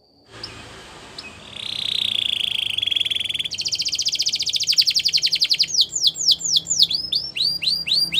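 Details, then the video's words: Belgian canary song for canary training: after a faint start, a sustained buzzy trill, a bright rapid rattling roll, then repeated curving whistled sweeps several per second. "Canaries Singing | Belgian Canary Song"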